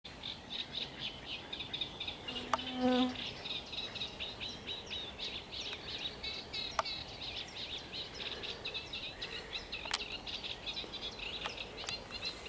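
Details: Sedge warbler pours out a fast, scratchy, chattering song of rapid varied notes, recorded 7 June 2021; a greylag goose gives one low honk early on.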